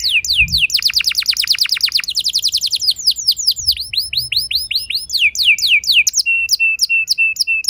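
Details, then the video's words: Young canary rolling out a long song used as a lure to make other canaries sing: rapid repeated downslurred notes, clusters of curved upswept notes, and a closing run of short level whistles. "Seketika Burung Kenari Lain Ikut Gacor Ngeroll Panjang! Pancingan Ampuh Kenari Paud"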